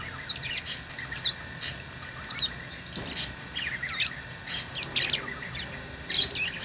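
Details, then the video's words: Loud, sharp lovebird chirps and squawks repeating about every half second to a second, interleaved with softer scratchy twitters. "Love birds beautiful Love ❤️ | chirping sounds | parrot beautiful sounds"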